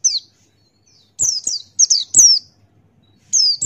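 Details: Buxtoni white-eye in ngalas wild-style song: thin, piercing whistles sliding downward, given singly and in quick clusters of three or four, with short pauses.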